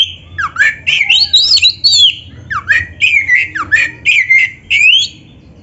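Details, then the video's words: Oriental magpie-robin (kacer) in full, energetic song, meant as a training master for other magpie-robins: rapid bursts of loud whistled and scratchy phrases, swooping down then up, in quick repeated groups over a low background hum. "SUARA BURUNG KACER GACOR FULL NARUNG"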